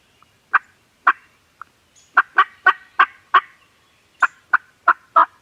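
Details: Gobbling turkeys on a farm: scattered throaty bursts at first, then a fast run of rattling gobbles, a short pause, and another quick series of four or five gurgling notes.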